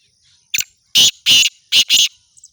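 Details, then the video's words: Black francolin giving a loud, harsh, grating call: a short clipped note, then two pairs of rasping, broadband bursts, each pair close together, the whole phrase lasting about one and a half seconds, with no other sounds. "kala tater کالے تیتر کی خوبصورت آواز"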